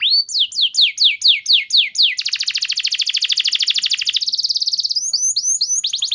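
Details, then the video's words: Training lure song of a canary: evenly spaced falling whistled sweeps for two seconds, then an extended rapid rattling trill that shifts pitch, followed by quick high slurs. "Terapi Burung Kenari Cepat Bunyi Gacor Dengan Suara Pancingan Kenari Gacor Nembak Panjang Ini"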